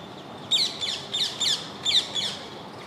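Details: Rose-ringed parakeet, an introduced bird living in the Governor's Garden near the old city in central Baku, Azerbaijan: six loud, harsh screeching notes in three close pairs, each sweeping down from high pitch, over faint background hiss.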